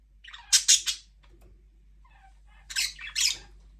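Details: Budgerigars, pet parrots, chirping indoors in a small room: two bursts of harsh, buzzy, high-pitched squawking chirps, a quick pair near the start and another pair after a quiet gap with faint soft chatter.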